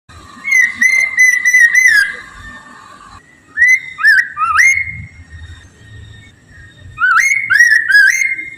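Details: Red-winged laughingthrush in full, continuous song, used as a lure to prompt others of its kind to sing: loud, clear whistled phrases with upslurred notes in short bursts, separated by pauses.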